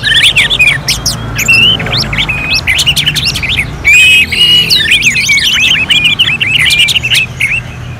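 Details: Orange-headed thrush singing as in a bird contest simulation, rapid choppy series of short rising whistles and chirps, a brief pause midway, then longer held whistles before more quick notes.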